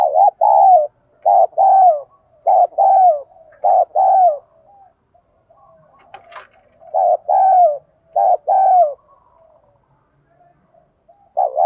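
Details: Spotted dove giving a calling coo in 'giọng đồng' style for decoy-bird training: repeated pairs of low, rounded coos, a short note followed by a longer falling one, in two bursts separated by a brief pause with a faint click.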